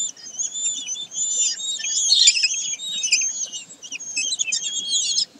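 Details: Common kestrels at Sägeweg on 22 May 2023: dense, overlapping high shrill calls with harsh, wavering and trilled notes, nearly continuous across the clip, several birds calling together.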